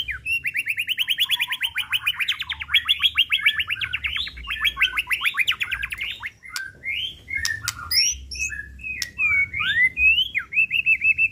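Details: Captive white-rumped shama delivering a long fast trill of repeated notes for several seconds, then varied upslurred whistles and sharp clicks, with a faint low hum behind.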